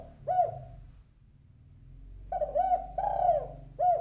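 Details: Female spotted dove summoning a male with low, throaty coos: a single clipped coo, a brief lull, then a fuller phrase of short and drawn-out rolling coos ending on another clipped note.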